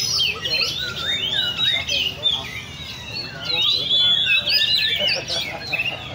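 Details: Caged Oriental magpie-robins at a bird cafe in Le Thi Rieng park, kept by enthusiasts. Several birds sing at once in a dense, overlapping tangle of high whistled slurs and rising and falling notes, with faint background chatter.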